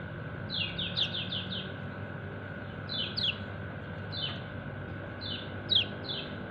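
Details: Kecial kuning white-eye calling its flock mates: groups of three to five rapid, falling high chirps, with a louder piercing note in some groups and pauses between them. A steady mechanical hum runs underneath.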